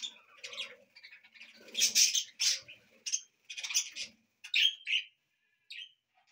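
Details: Pet budgies singing indoors in a house: a busy mix of high chirps, squeaky whistles and scratchy warbling notes in irregular bursts, with brief quiet gaps.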